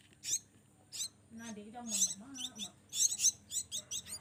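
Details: Hand-fed Javan myna chicks, raised in captivity from a young age, beg with rapid grating, hissy screeches in short repeated bursts. Low human vocal sounds are mixed in during the feeding.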